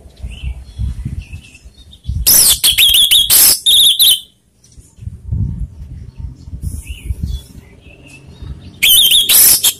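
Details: Lure song of an orange-headed thrush, meant to provoke rivals: a loud two-second flurry of high, sharp whistled and chattering notes, a quieter gap with faint distant chirps and low rumble, then another loud burst at the end.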